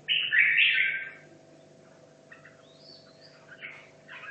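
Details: Red-whiskered bulbul, a caged bird kept two and a half years in Hanoi, practising for a singing competition: one loud bright warbled phrase over the first second, then faint scattered notes and a steady low hum.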